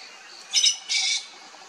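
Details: Sri Lanka blue magpie giving a pair of loud, grating, rasping notes: a short burst, then a longer, flatter screech about a third of a second later.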